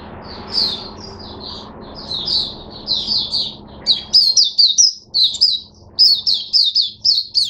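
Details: Opening song of a caged Oriental white-eye, 5 May 2022: soft high twitters build into a quick, insistent series of sharp, bright chirps repeated several times a second, with a low steady hum beneath.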